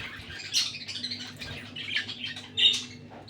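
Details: Lutino and albino budgerigars, a red-eyed breeding pair kept indoors, uttering soft intermittent squeaky chirps and brief scratchy notes, with one sharper chirp near the end.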